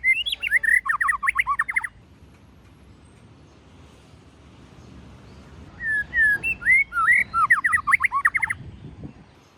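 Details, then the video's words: Forest-style song of a white-rumped shama: a phrase of rising and falling whistles ending in a fast, rattling run of loops, then a long pause, then a second similar phrase. "chòe lửa hót giọng rừng kích bổi"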